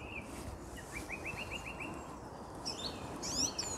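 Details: A mistle thrush (Turdus viscivorus) sings on a grey Sunday morning around 8 am in early February, a quick series of clear repeated whistled notes, then higher fluty phrases, over steady wind-like rushing noise.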